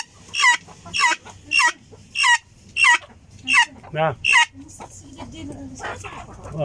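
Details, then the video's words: Helmeted guineafowl uttering seven harsh, creaking calls spaced about half a second apart. A softer, lower clucking sound and quieter rustling background noise follow. "صوت الحجل الحبشي صوت غريب وعجيب"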